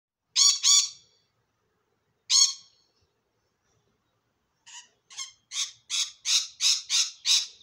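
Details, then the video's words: A rainbow lorikeet in a tree in Melbourne, Australia, screams harsh, shrill screeches: a paired burst, one lone screech, then a rapid run of about ten grating shrieks building in loudness. "Rainbow Lorikeet Screaming"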